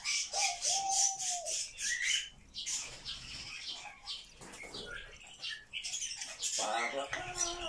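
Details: Pet grey parrot that chatters all day, giving one arched whistle followed by rapid scratchy squawks, clicks and a harsh nasal burst near the end.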